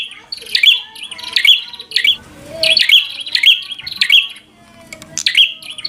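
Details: Fighting song of a bar-winged prinia, used to stir a rival into combat: shrill, buzzy high phrases repeated roughly twice a second over a faint, murmuring background.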